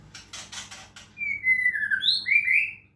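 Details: White-rumped shama from Medan, given water-sound therapy to bring it into full song: a rapid burst of rasping chatter, then clear, slightly descending whistled notes with a higher overtone, ending in a rising whistle.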